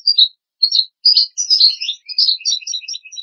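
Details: Goldfinch song meant for teaching goldfinch and hybrid chicks to sing, with short bright twitters separated by brief gaps, building into a dense, liquid jumble of tinkling notes. No other sounds are present.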